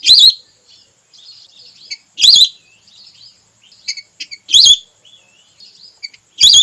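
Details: Hunting-lure call of a female red whistling duck. Four loud, quavering whistles repeat roughly every two seconds, mixed with many faint, short whistles and chirps in the gaps.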